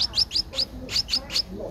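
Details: Twelve-day-old Streak-eared bulbul chick in Ubon Ratchathani, Thailand, in April; rapid series of thin, high upslurred squeaks, about seven in under two seconds.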